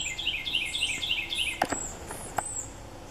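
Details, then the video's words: Red-bellied woodpecker fledgling begging while an adult male feeds it in woods full of birds; a fast run of rising chattering notes, then clicks and high whistled calls of other birds. "Red-bellied Woodpeckers feeding fledglings"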